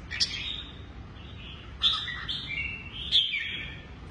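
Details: Caged red-whiskered bulbul of the Lân Tê type, with a shrimp-curved back and drooping wings, hopping between two perches. Three short, bright whistled phrases with a sharp start, spaced about a second apart, over a low steady background hum.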